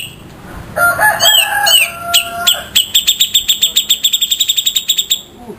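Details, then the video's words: Rough 'besetan' song of grey-cheeked bulbul, local and Sumatran birds: warbled twisting whistles at the start, then an accelerating series of harsh, ringing staccato notes packed closely together. "Masteran super kasar raja besetan jenggot lokal vs sumatera"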